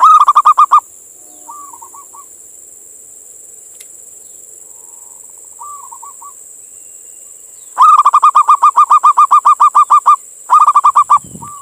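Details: Indonesian local zebra dove male calling to a female, played to attract other doves: a burst of fast staccato coos, quiet rolling purred phrases between, then two more long runs of loud, evenly spaced coos; constant thin background hiss.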